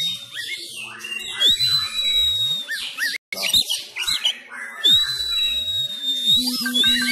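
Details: Sumatran Oriental magpie-robin, a kept bird training at home during COVID-19 restrictions, singing its fighting-style song: sharp high whistles and scratchy chirps with quick rising and falling notes, over low sweeping background sounds, with a short gap near the middle.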